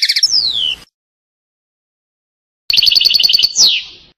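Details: European goldfinch song phrases (passades): a quick, liquid run of tinkling twittered notes with a descending slurred whistle, then a rapid buzzy trill ending in a downward sweep.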